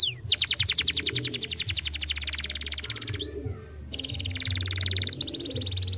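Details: Canary song used to get a young canary singing: a long rapid trill of repeated notes slowing gradually, a short pause, then more fast high trills.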